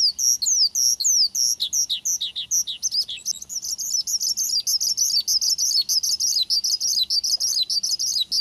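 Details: A male lark (branjangan) sings high and fast, used as a lure to make other larks answer: varied sweeping whistles give way to a rapid stream of sharp, buzzy chirps, with nothing else heard.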